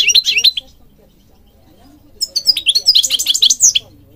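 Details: Goldfinch song recorded for training birds in Morocco: a short twittering phrase, a pause of over a second, then a longer lively burst of rapid chirps and tinkling trills.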